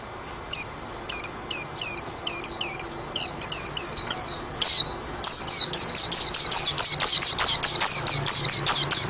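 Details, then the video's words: Soft high twittering from a white-eye builds into a long, fast series of loud, piercing downslurred whistles repeated steadily. "BURUNG PLECI"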